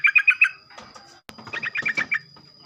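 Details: Sooty-headed bulbul singing in the morning to stimulate other bulbuls: a quick string of four ringing notes, a pause with a sharp click, then a looser, busier run of chattering notes over a thin constant whine.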